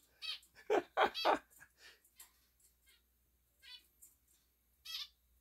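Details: A male zebra finch gives short, nasal, trumpet-like calls in reply to a person repeating an "E" vowel sound.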